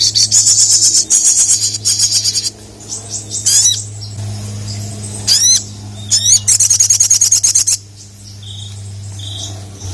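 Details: Ruby-cheeked sunbird in strong voice, calling to challenge rival males: dense high buzzy chip trills alternating with sharp upswept squeaks and short whistles, over a low steady hum.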